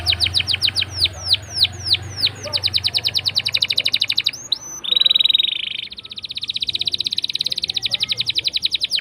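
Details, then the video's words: Canary in full song, a long rolling song used as a lure to prompt silent canaries to sing: series of down-slurred whistled notes, then a steady buzzy note and a long fast rolling trill to the end. "Pancingan Kenari Gacor Ngeroll panjang!! Buat Kenari Macet Bunyi pun Langsung Respon"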